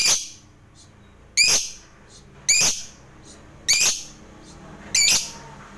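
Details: Lovebird, used as a lure to spur other lovebirds into song, giving harsh, shrill single chirps spaced roughly a second apart, each a brief sharp burst, with quiet room hiss between them.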